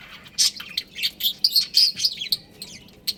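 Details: Pet budgerigars of a breeding pair give a short run of bright, sharp chirps, clipped notes rising and falling in quick succession before trailing into softer twitters.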